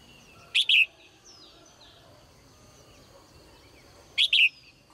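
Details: Morning calls of a caged female bird: two bright, high two-part chirps about three and a half seconds apart, with quiet twittering and hiss filling the gap.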